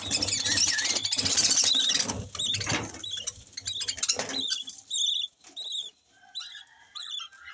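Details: Yellow lovebird with a new baby chick; loud rustling and scraping at first, then short, wavering, high-pitched calls come in a quick, uneven series toward the end.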